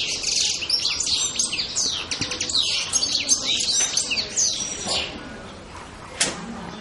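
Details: European goldfinch twittering rapidly in busy, scratchy high notes that fade out near the end, followed by one sharp click.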